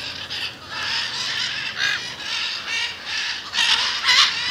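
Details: Flock of macaws assembled near a home in Jaumave, Tamaulipas, February 2015, giving a steady stream of rough, grating squawks, about two per second, growing louder toward the end.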